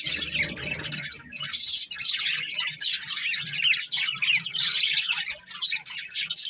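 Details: Several pet budgerigars chirping together in a continuous high warble, rapid twittering notes overlapping with no pause, and faint low rumbling underneath.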